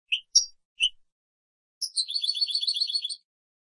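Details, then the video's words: European goldfinch song from a 2017 training recording for captive birds: three separate high call notes, then a quick jingling trill of rapid repeated notes lasting over a second. "chant chardonneret 2017 goldfinch TRAINING CD"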